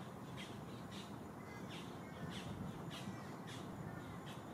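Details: Green heron nestlings, three chicks competing for fresh catch at a nest on Lake Hollingsworth in Lakeland, Florida: rapid sharp scratchy notes in quick series, roughly two per second, over constant low background noise.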